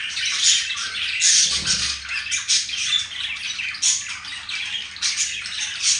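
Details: Pet male green budgerigar flirting with a female indoors, chattering in a dense, scratchy, high warble of squawks and chirps, with louder bursts about every second and a half.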